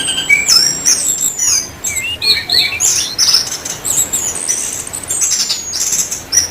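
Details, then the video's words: Orange-headed thrush in vigorous, chatty gacor singing, from Indonesia. High, varied phrases mix sliding whistles, sharp chirps and twittering notes in quick succession with little pause. "anis kembang gacor"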